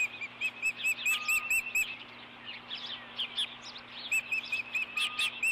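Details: Osprey pair at a ranch nest camera, Dunrovin Ranch, 4 April 2014, male bringing the female a fish; bursts of high whistled chirps in quick runs, separated by a softer jumble of calls.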